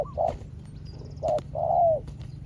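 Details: Spotted dove facing a rival wild dove with a small voice: a few soft coos, the last one long and sliding down at its end. Faint clicks and distant high bird notes in the background.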